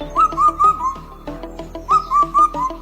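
Indian cuckoo giving two phrases of four clear whistled notes, the last note dropping, about a second per phrase, over soft background music.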